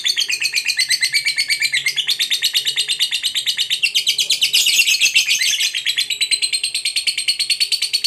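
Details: Long ngekek trill of a fighter lovebird, sung to provoke a rival: a rapid, harsh, buzzing chatter that continues without a break for over eight seconds, with the notes blurring together at the middle.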